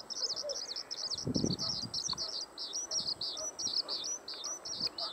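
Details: Skylark singing a fast, unbroken stream of high, sharp chirped notes in quick repeated phrases, with scattered low knocks and thumps in the background.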